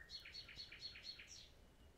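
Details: Common nightingale song: a quick series of about six bright rising-and-falling notes, four per second, ending with a higher sharp note.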